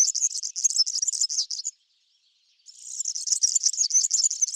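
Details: A backyard European serin on cabbage seed plants sings a quick, jangling high trill, stops for about a second, then resumes with a second rolling, wheezy phrase.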